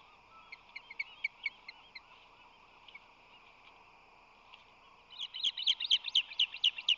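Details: Ospreys at their San Francisco Bay nest in late March 2020, as the male flies in with fish in his talons; scattered high chirps give way to a loud, rapid run of sharp whistled chirps near the end.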